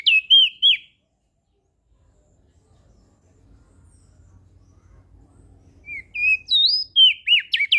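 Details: Crested white-eye from Lombok, lively song for training birds that rarely sing: bursts of clear whistled notes with sharp up-and-down sweeps, a brief phrase at the start, a gap with faint low hum, then a longer string of rapid notes.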